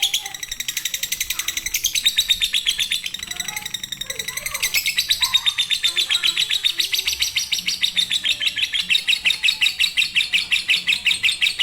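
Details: Fighter-style lovebird song meant to spur silent birds into singing: soft chatter at first, then loud, dense, high ticking chirps that build from about two seconds and run on without a pause.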